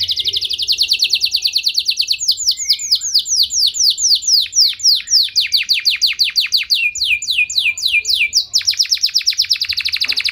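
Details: Long canary song with varied tours: a fast rattle, then slower sweeping whistled notes, then a quicker trill, all bright and high.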